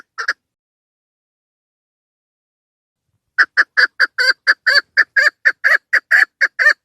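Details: A female chukar partridge gives a call used to attract birds for hunting. One brief note is followed by a three-second silence, then a fresh run of rapid, rasping clucks at about two per second.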